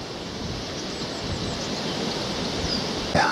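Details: Steady broadband wash of surf and wind, ending in a brief louder scrape; no animal voices.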